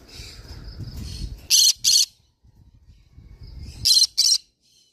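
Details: Green-cheeked conure screeching in harsh doubled bursts, two pairs a couple of seconds apart, over low rumbling background noise and soft chatter.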